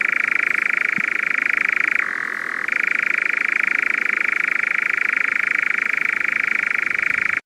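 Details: European nightjar, a summer visitor whose insect-like song is rarely heard before late April and is mostly noted in May and June, churring steadily with one brief dip to a lower pitch.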